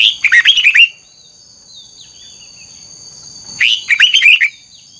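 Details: Red-whiskered bulbul singing old wild-caught twisted double notes for voice training: two lively phrases, around three seconds apart, each a fast tumble of ringing, down-slurred whistles, with faint soft notes between and a continuous high whine.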